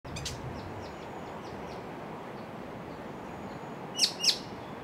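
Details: White-cheeked honeyeater calling while searching for its mate in the bush, darting between perches; faint high chips early on, then two sharp, loud, high chip notes about a quarter second apart near the end, over a steady low hiss.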